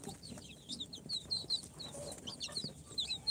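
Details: Young chicks four days after hatching in an incubator, a mix of Sultan, Golden Sebright, Cochin and booted breeds, utter bright, piercing downslurred peeps in irregular bursts, a little sparser and more separated than a full chorus.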